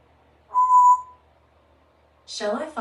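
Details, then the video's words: Three-year-old female Congo African grey parrot, kept as a pet in a country home, practising words and sounds indoors; one clear, steady whistled note, then after a pause a brief, harsh speech-like utterance. "African Grey Parrot practices her words and sounds"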